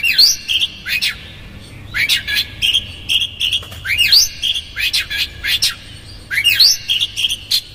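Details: Oriental magpie-robin in rough konslet song played to make another magpie-robin emotional. Repeated phrases of crossing rising and falling whistled sweeps alternate with steady whistled notes about every one to two seconds.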